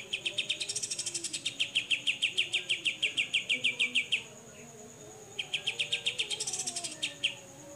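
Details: Grey-cheeked bulbul in besetan style, a clear fast-repeating song. Sharp, bright chips fall in quick succession, about three per second, in two bursts separated by a short pause. A steady high whine runs underneath throughout.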